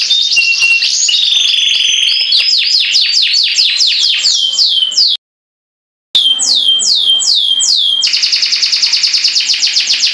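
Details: Canary singing in its cage, pouring out fast rolling trills of sweeping notes that shift to a dense buzzy roll after a brief silent break.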